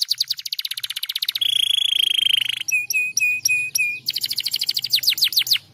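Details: Canary song for encouraging other canaries to sing: a fast pulsed trill, a steady buzzy roll, evenly spaced sharp chirps, then quick descending whistled notes.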